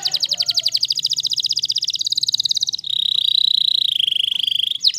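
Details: Waterslager canary delivering a long unbroken trill of rapid high pulses that changes into a purer, sustained, slightly falling tone, with a faint low hum underneath.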